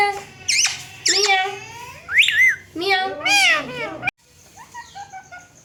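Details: Talking pet Indian green ringneck parakeets at a mirror. Several loud, speech-like wavering phrases come in quick succession, then the sound drops to quiet, thin chirps.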